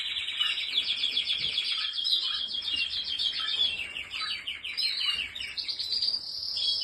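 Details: Canary song, a long unbroken run of rapid rolling trills pitched high, shifting between tours of different speeds, with brief lower slurred notes dropped in now and then.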